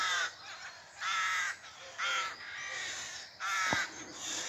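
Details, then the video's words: Rooks at a nest being fed in a small spinney at Pulford, Chester, just before 6am on 27 April 2024, give harsh, grating caws: four drawn-out calls about a second apart, plus a faint click and light hiss. "Oh, there's moved another one. The sound of rooks. There's"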